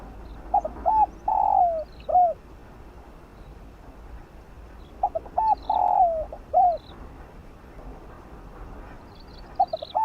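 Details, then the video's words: Spotted dove with a 'giọng đồng' field-style voice, cooing to stir up and train decoy birds: two phrases of short clipped coos building to a long falling note, spaced about five seconds apart, with faint high chirps from other birds. "Chim cu gáy kích bổi gáy nhanh❣ tiếng chim cu đất gáy gọi giọng đồng kích bổi tập mồi hiệu quả"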